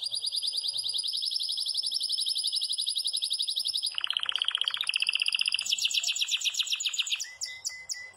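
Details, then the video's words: Yellow Belgian canary singing a fast, bright, ringing song built from rapid rolling trills that shift between high and lower pitches every second or two. "CANÁRIO BELGA CAMPAINHA ESTOURADO DANDO UM SHOW"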